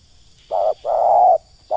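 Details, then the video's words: Spotted dove ngeruk call, from a setting of lure trapping: a series of steady, even low coos, a short one, a longer one and the start of a third, separated by brief silences. "PIKAT AJARAN BARU POIN KE DUA, SUARA NGERUK DI BUNGKUS"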